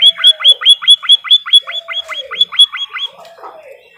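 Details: White-headed munia in a cage-bird training recording: a quick, regular burst of high downslurred chips, then quieter low drawn-out notes trailing off.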